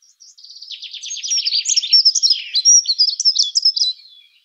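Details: Dunnock song opening softly with fast buzzy notes, then swelling into a rapid, bright, wavering warble that lasts almost four seconds before fading out.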